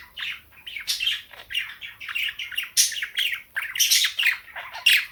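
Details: Indoor morning chorus of a female cockatiel with budgies joining: choppy bursts of chirps, squeaks and harsh chatter, about one burst per second, growing louder toward the end.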